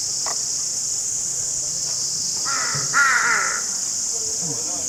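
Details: A pair of harsh crow caws arrive mid-clip, the second longer and dropping slightly in pitch, against a continuous hissing background and faint low noise.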